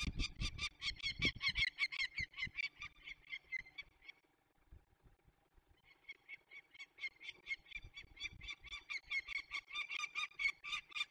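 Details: Barycz Valley, Poland, 27 May 2020, young peregrine falcons being released: fast, harsh repeated notes for about four seconds, a short pause, then a longer, steady series resumes, with low background knocks.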